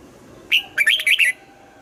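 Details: Red-whiskered bulbul morning song, trained toward a double-note, old-forest style: one opening whistle followed by a tight run of four bubbly, warbled notes.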